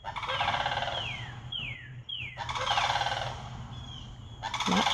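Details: Four visiting sandhill cranes, very vocal that day, give rolling, rattling trumpet calls in three harsh bursts about a second long, with thin falling whistles in the gaps.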